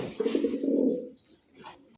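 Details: Pigeons of Lahori, Beauty, Lakkha and Satin breeds at a market in Ashulia, Savar, Dhaka, on an evening in late May; a low, throaty coo lasting about a second, then quieter indoor background noise.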